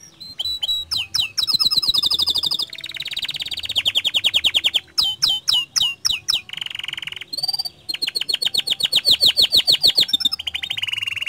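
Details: Long canary song used to get other canaries singing: varied phrases of rapid trills, buzzy rolling runs and sharp chips, each lasting a second or two, with short breaks between.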